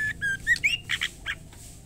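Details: Female white-rumped shama calling to a male with a fast series of whistled notes, rising in pitch, then two rough, buzzy bursts.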